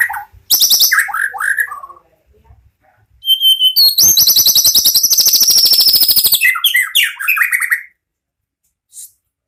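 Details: White-rumped shama, a caged bird from a champion-bred farm line, in vigorous song: clear whistled notes, then a long, rapid, harsh rattling trill lasting several seconds, ending in falling chattered notes.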